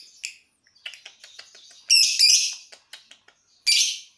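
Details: Lovebird warming up its ngekek before a contest: scattered thin high ticks and chirps, then two loud rasping buzzy trill bursts of about half a second each, separated by more quiet clicks.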